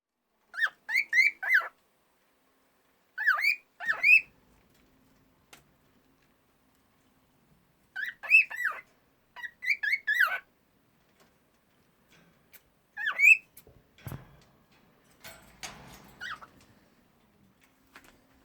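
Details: A sleepy female cockatiel sings in short bursts of bright, chirpy whistles with quiet pauses between them.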